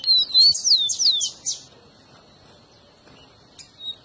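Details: Rufous-collared sparrow song, played to warm up and stimulate a pet bird to sing: a quick run of clear whistled notes sliding down and up, then a pause with a faint steady high tone and a few soft notes near the end.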